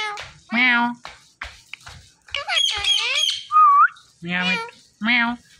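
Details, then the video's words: Green Indian ringneck parakeet talking indoors in a small room: loud, rasping, harmonic speech-like phrases in short bursts, with a squawky chattering stretch and a clear rising whistle near the middle. "Beautiful Green Ringneck Talking Compilation"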